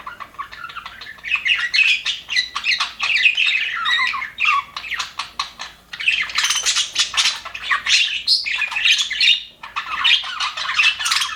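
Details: Several contented budgerigars in an aviary twittering in quick bursts of chirps and scratchy warbles, with short lulls between the louder spells of overlapping chatter.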